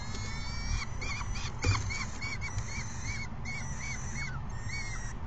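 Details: Peregrine falcon chicks calling to an adult on May 29, 2022 at 12:17 PM: evenly repeated short, arched squeals, roughly three per second, with one louder thump and constant low rumble behind.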